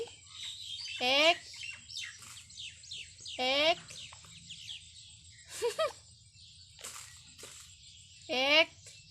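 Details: Pet parrot talking; loud, voiced, speech-like syllables and harsh squawky bursts come roughly every two to three seconds, with softer chattering sounds between them in a quiet room.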